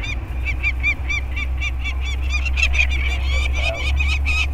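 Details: Harsh repeated cries of peregrine falcons at an Anacapa Island scrape as researchers band two 30-day-old chicks, one male and one female, with both parents nearby. Rapid, grating notes come several per second, over a steady low hum of wind or surf.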